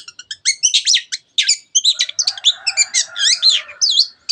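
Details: Long-tailed shrike singing as a lure to stir other birds into song: quick ticking notes give way to a hurried jumble of scratchy chirps and wavering whistles, with a faint lower hum in the middle.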